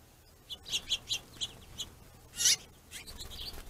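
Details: Finches squabbling over a plentiful food source, territorial and aggressive: a run of short, high chirps, several in quick succession, then one louder, harsher burst near the end, followed by softer chirping.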